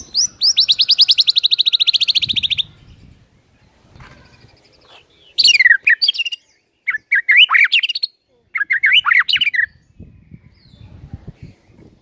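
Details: White-rumped shama song played as a morning lure to get birds singing: a rapid trilled run of high notes lasting over two seconds, then several bursts of sharp, varied whistled and chattering phrases with short pauses.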